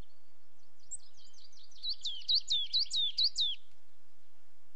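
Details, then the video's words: A coal tit gives a quick run of thin, high notes, faint at first and then about six sharper downslurred notes in under two seconds, over a faint background hiss. "Coal Tit sound"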